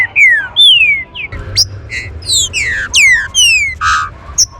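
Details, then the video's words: Green-winged saltator (trinca-ferro) singing a loud, rich run of clear whistled phrases, mostly sweeping downward slurs with a few short bright notes, over a faint low hum; song used to stir up captive trinca-ferros. "ESTE CANTO VAI ESQUENTAR SEU TRINCA-FERRO"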